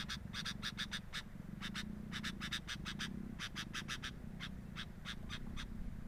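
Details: Sooty-headed bulbul calls at the nest, recorded with a nest camera: quick, clipped chips in uneven groups, sometimes paired, continuing steadily over a low background hum.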